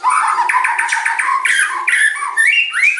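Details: White-rumped shama (murai batu) singing lower, harsher notes: a run of squawky repeated syllables followed by rising whistled slurs, loud and close.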